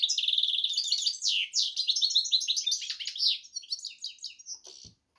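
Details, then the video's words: Hybrid of goldfinch and canary delivering a rapid, loud warbling song: opening rattled trill, then sweeping whistled notes and chattering twitters, fading near the end followed by a brief click. "hybrid Carduelis x Canary"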